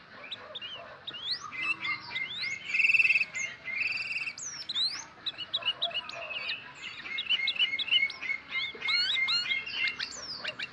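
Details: Tame sooty-headed bulbul from Kebumen giving a busy run of short whistled and chirped notes, many steady tones near one pitch mixed with quick rising and falling slurs, continuous for about ten seconds with faint background hiss.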